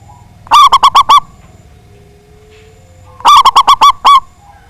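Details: Loud-voiced local zebra dove singing as a lure to get rivals calling: two quick runs of about six resonant cooing notes, each finishing on a longer, held coo, roughly three seconds apart over quiet background.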